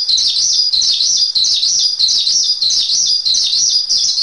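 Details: Javan pied starling singing a masteran: an unbroken stream of shrill, buzzy chatter with quick zigzagging notes, pulsing a little more than once per second.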